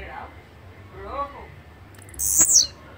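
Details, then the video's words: One shrill, buzzy, falling phrase from a blue-black grassquit, following faint, lower, arched chirps from something else in the background. "Canto de Chirrio (Volatinia jacarina)"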